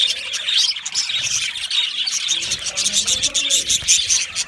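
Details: Budgerigars, Australian parrots kept in an aviary: a dense, continuous chorus of many overlapping chirps and warbling chatter from a flock, with no pauses.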